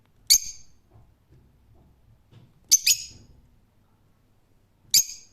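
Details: Three bouts of piercing parakeet screeching, a single cry, a doubled call, then another single, over a faint low background hum; the bird is a rose-ringed parakeet.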